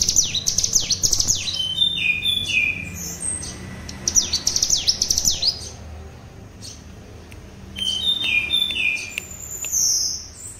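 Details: A spotted ('trotol') mutant common tailorbird learns 'ngebren' singing and serves as a tutor bird. It gives steep, fast, high descending sweeps in quick series, then shrill level whistles and chirps after a quieter gap.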